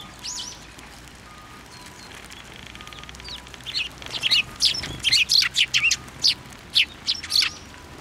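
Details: Eurasian tree sparrows gathering on a plum tree at a Tenmangu shrine, Japan, on 10 February 2024; a few soft chirps early, then a dense burst of bright, sharp chirps from about four seconds, steady faint hum underneath.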